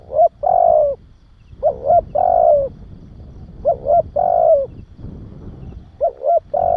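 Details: Spotted dove cooing, a recording used to stimulate and train young doves: three phrases about every two seconds, each a short note, a stuttering roll sliding into a long falling coo, then a closing coo, over a faint low rumble.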